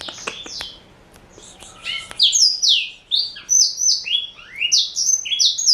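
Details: Four-year-old male black-throated canary of Somerini x Botswana parentage: a few scattered clicks and short notes, then from two seconds a fast, high, sweet chain of downslurred whistles.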